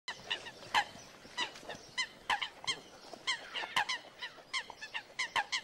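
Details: Coots fighting to establish territory and mating rights on Floating Island Lake, north side of Yellowstone National Park; short, nasal, harmonic notes repeated rapidly and irregularly, several birds overlapping, with faint background noise.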